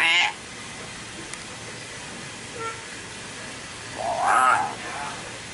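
A young common hill myna gives two brief, harsh, voice-like utterances about four seconds apart, the second longer and warbling, with quiet room background between.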